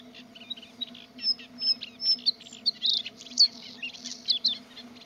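A Bluethroat sings a rapid, varied run of high chirps, clicks and sharp whistled notes, with a steady low hum underneath.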